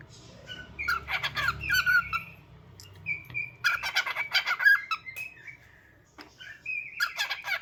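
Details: Pet bird making cute sounds: clusters of bright chirps and short whistled notes, with a few longer steady whistles, in uneven bursts and quiet gaps.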